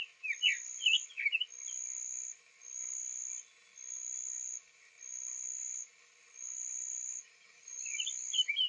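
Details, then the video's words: Male Summer Tanager singing softly on 3 April 2023 at Owens Spring Tract, Lafayette County, Florida, days after arriving from spring migration. Short burry warbled phrases open and close the clip over a steady, pulsing high insect trill. "Summer Tanager Singing Softly"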